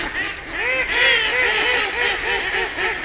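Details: A short burst of rapid duck quacks: arched, nasal notes pile up quickly, with one sharper, louder call just after the first second.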